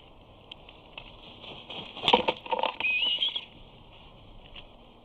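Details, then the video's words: Young eagle at Big Bear, on 8-2-19, screeing as it flies towards the nest where its parents have a fish. Thin, high, wavering screams mix with cracking and crunching noises of branches. "Simba is heard screeing as he flies towards the nest."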